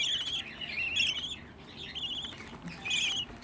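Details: Sixteen budgerigar chicks bred as a household hobby, heard as wavering, scratchy chirps repeated about once a second, some slurred up and down, over a soft background of more chatter.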